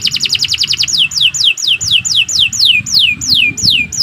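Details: Canary in long, continuous 'gacor panjang' song used for tutoring other birds: a fast high trill, then clear whistled notes sliding steeply downward, repeated about three times a second with a faint low hum beneath.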